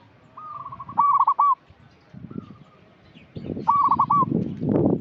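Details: Local zebra dove calling as a lure for still-untrained birds: a soft lead-in note, then a run of rapid trilled coos, a faint single note, and another stuttering coo phrase over a rumbling low background noise.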